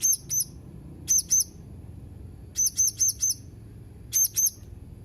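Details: Shrill, very high paired chirps from a Blue-crowned hanging parrot dated 31 March 2021, in doubles and one run of four, separated by short silences.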